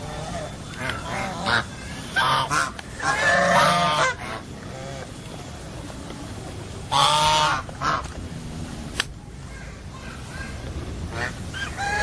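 Geese honk in loud, harsh bursts, one near three to four seconds and another around seven seconds, with softer calls scattered between over a noisy background.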